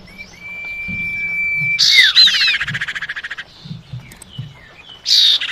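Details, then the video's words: Female common iora calling the male, used as a lure recording: a long steady whistled note, then loud harsh buzzy bursts with falling sweeps, a fast rattling series, and a final harsh burst. "suara pancingan burung cipau betina panggil jantan"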